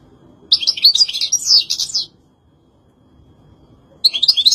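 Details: European goldfinch song: a fast, liquid twitter of jumbled high notes lasting about one and a half seconds, a pause, then a fresh burst beginning at the end.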